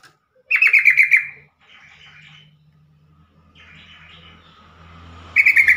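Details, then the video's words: Bulbul call of the yellow-vented species, played so other birds respond and stressed or newly caught birds sing: a one-second train of fast, pulsed bright notes, quieter warbling in between, and another rapid chatter starting at the end. "trucukan call"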